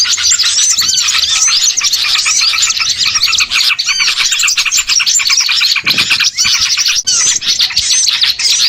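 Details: Small-bird lure sound used for bird catching: loud flock of twittering birds with clear repeated arched whistles and rapid chips, the busy chatter briefly thinning around six and seven seconds.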